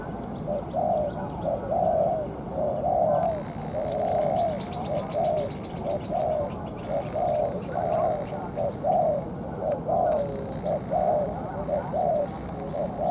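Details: Decoy spotted dove in moult, set out for ground trapping against a wild bird: long series of soft, hollow coos in steady rhythm, with faint chirps and brief voices behind.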